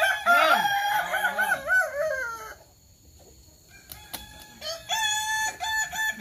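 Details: At a practice crowing contest in Sawah Lunto, Kukuak Balenggek roosters give loud, stepped, bouncing crows for over two seconds. A near-silent pause follows, then more overlapping crows rise at the end.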